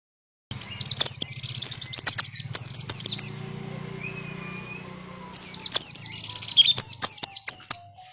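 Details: Oriental white-eye singing bursts of rapid, very high twittering trills, a loud run of sharp chirps followed by a pause and a second burst, with a low steady hum beneath. The song is used to provoke other white-eyes into answering.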